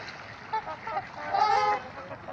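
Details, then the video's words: Trumpeter swans in Gallup Park, Ann Arbor, Michigan: a few soft, short honks, then a louder nasal honk of about half a second, with faint calling in the background. "Trumpeter Swans Making Some Noise"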